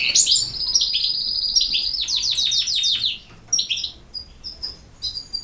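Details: European goldfinch song opening with a run of rapid, repeated, downslurred whistled notes that speed into a trill, then sparse sharp chirps and thin high whistles.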